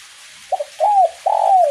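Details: In a light drizzle, a spotted dove sings keenly in the 'kuk 1' style. A clipped double note leads into a falling, mellow coo, then a long, steady, hollow coo that is still sounding at the end, with faint hiss behind.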